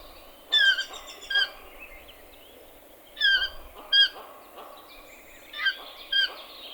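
A toucan gives loud, nasal yelping notes in clusters of two or three, repeated about every two and a half seconds over a soft background hiss.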